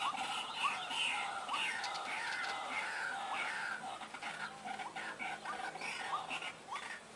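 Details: White-breasted waterhen sound used for luring: a series of short, upswept, slightly harsh notes at an uneven pace of about two per second, with light background hiss.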